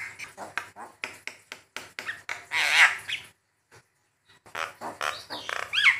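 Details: Javan myna, tutor and lure recording: short harsh clicking notes about twice a second, a loud grating burst, a short pause, then rising squeaky notes.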